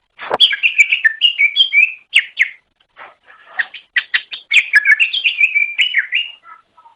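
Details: Greater green leafbird song for training pet songbirds: a long, fast-paced sequence of chirps, trills and slurred whistles, nearly unbroken, with a brief dip in the middle; no other sounds heard.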